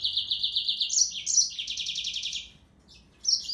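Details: Yellow-fronted canary: a steady fast trill of evenly repeated notes, then higher buzzy notes and a falling rapid series, silence, and a last brief phrase.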